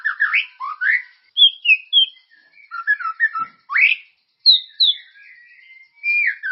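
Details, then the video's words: Singing white-rumped shama, played to get caged birds singing: rich varied phrases of low warbled whistles, high falling notes, a rising sweep and drawn-out clear whistles, in short bursts with brief gaps. "Suara pancingan burung murai ❗gacor dan berkarakter"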